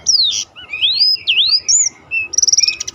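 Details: Black-throated canary in roll-style song meant for training contest birds: looping whistled slurs up and down, short breaks, then a fast buzzy trill of repeated clicks near the end.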